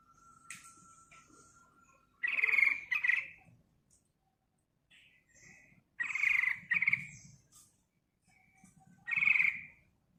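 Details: Yellow-vented bulbul singing in lively 'ngerol, ngeriwik' style for luring other birds: three separated bursts of harsh, bubbly chatter a few seconds apart, with a thin steady whistle early on.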